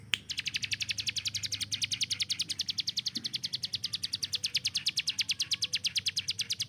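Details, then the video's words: Master hill prinia kept to teach speed to contest birds. It keeps up a long, fast, machine-gun string of sharp high chips with hardly a break. "CIBLEK GUNUNG || Melatih Speed dan Tembak Burung Gacoan"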